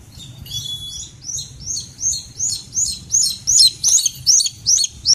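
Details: Rufous-bellied eagle during training in Tien Giang, Vietnam, giving a steady series of shrill, high, slurred whistles, roughly two or three per second, over a faint low rumble.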